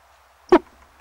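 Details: A female Barred Owl in a nest box in Eastern Massachusetts gives a unique, short, hoarse cough lasting about a tenth of a second in the middle of the night, the sign that an egg had been laid; faint background hum.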